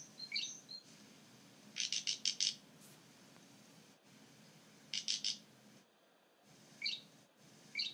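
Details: Great grey shrike in song at Trondheim Airport, Stjørdal, Norway, 3 April 2019: quick stuttering bursts of four to five high buzzy notes separated by pauses, with scattered single chirps before and after.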